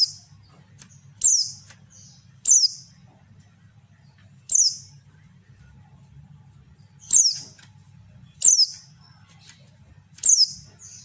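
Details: Female white-eye call, used as a lure to provoke males into answering and singing: sharp, very high, thin descending chirps, spaced irregularly about one to three seconds apart, over a steady low electrical hum.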